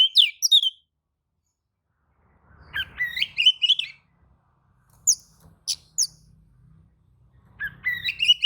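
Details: Oriental magpie-robin responding to another magpie-robin's song: three bursts of quick whistled and scratchy phrases with sharp high notes between them, over a faint low background hum.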